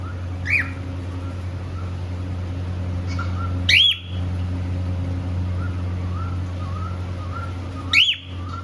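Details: A happy pet cockatiel couple at play: three loud, sharply rising chirps spaced a few seconds apart, soft wavering low whistles in between, and a steady droning hum in the background.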